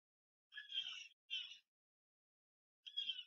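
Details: A Blue Jay gives three harsh, raspy, crow-like calls, two close together and a third after a pause, a call often mistaken for a crow or hawk. Nothing else is heard.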